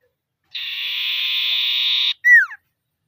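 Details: Iora calling to provoke rival birds: a single sustained, even, reedy note of about 1.6 seconds, then a short clear whistle curving downward, in a quiet setting.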